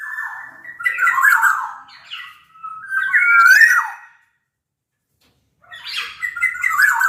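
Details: Black-naped oriole of Sumbawa origin, used as lure song so reluctant orioles join in: loud mellow whistles with raspy edges, two phrases, a long silence, then another warbled burst.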